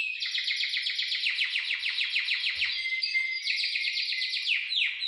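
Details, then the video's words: Canary song played as a tutor to make other canaries sing and to raise breeding drive in young birds. A continuous, rapid rolling trill of bright, fast-repeated notes changes character partway through. "Suara Agar Kenari Mau Bunyi Dan Birahi Naik - Cocok Untuk Masteran Burung Sogon Dan Kenari Paud"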